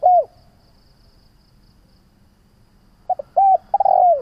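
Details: Spotted dove call used for training decoy birds: a falling coo ends at the start, a long pause follows, then a new phrase begins with short notes and two deep coos. The background is quiet.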